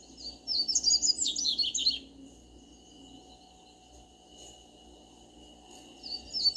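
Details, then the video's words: Double-collared seedeater in a backyard, one fast high twittering phrase of about one and a half seconds, then a quiet gap and the start of another phrase, over a constant low hum. "Papacapim no quintal"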